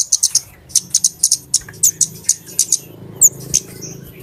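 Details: Flowerpecker lure call used for trapping birds: sharp, very high ticking notes near the top of the range, delivered in quick irregular bursts with short pauses, plus a thin whistled note and faint low background hum.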